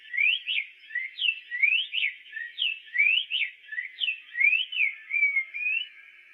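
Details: Clear whistled phrases from a black-faced tanager, rising and falling slurs repeated in a continuous, musical stream lasting several seconds.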